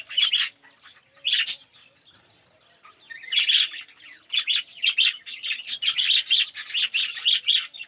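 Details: Colony of Australian red-eyed budgies, yellow birds in an aviary; scattered chirps at first, then a rapid run of sharp, repeated chirping notes in the second half.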